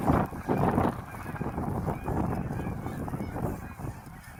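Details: Hundreds of geese lift off at Heron Lake in a snow storm. Their honks overlap in loud, uneven bursts over a constant low rumble, strongest near the start and then settling into a steady clamour.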